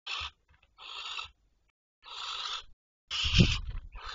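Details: Barn owls calling at night, recorded 12 May 2023 at 23:37: four harsh, hissing screeches, each about half a second long, separated by short silences. A low thump sounds under the last one.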